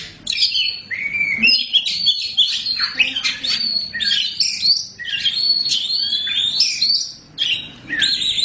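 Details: Oriental magpie-robin of the black form, called kacer hitam, in full vigorous song. Varied bright whistled phrases, rising and falling slurs and rapid twittering notes flow with few gaps, dipping quiet around five and seven seconds.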